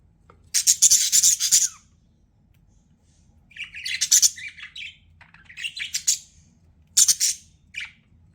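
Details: Budgerigar kept as a pet, giving repeated bursts of scratchy, rasping chirps and warbled chatter, four separate outbursts spaced by short silences, with a lone brief note at the close.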